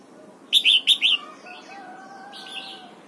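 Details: Red-whiskered bulbul singing in the morning while being trained in double-note 'âm kép già rења' song: four quick, loud, rounded whistles in a tight phrase, followed by faint sustained tones and soft chirps.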